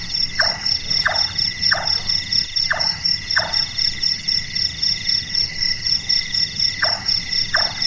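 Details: Large-tailed nightjar, a nocturnal bird named for its carpenter-like voice: five rapid knocking chonk notes, a pause of about three seconds, then two more, all over continuous shrill insect buzzing.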